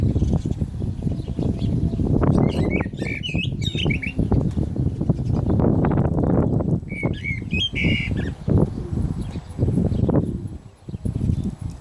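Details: Common blackbird singing during the call to prayer. Two short bursts of clear, fluting, warbled phrases rise above a steady loud low rumble and thudding background noise, with a long gap between them.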